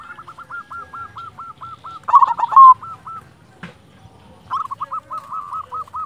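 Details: Silver zebra dove, a local perkutut, singing actively: a long run of quick, even, rolled coos, a loud trilled burst, a brief tap sound, then another fast series of coos.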